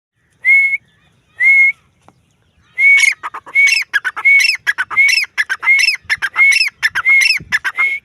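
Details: Female grey francolin calling: two clear whistled notes with upturned ends, then a fast run of loud, ringing whistles mixed with harsh, rasping notes, repeated in quick succession.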